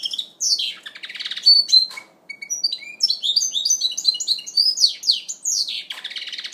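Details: Goldfinch mule in first moult, 2012, delivering a lively song mixing harsh buzzy notes, short pauses and quick high twittering runs.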